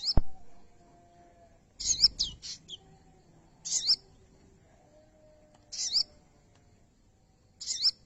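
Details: Pin-striped tit-babbler, a bird in the taming process and already singing after a day, gives brief high sharp chirp bursts, some doubled, spaced a second or two apart, after a sharp click at the start; quiet background hum.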